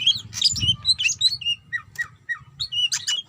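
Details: Female greater green leafbird calling the male: quick run of bright whistled notes, some slurred downward and others rising, with squawky fragments packed into three seconds over a low steady hum.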